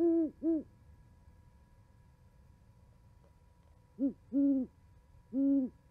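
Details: Two owls chatting at an osprey nest in Charlo, Montana, 11 January 2020, on a nest camera; a pair of low hoots, a long quiet gap, then three more spaced hoots.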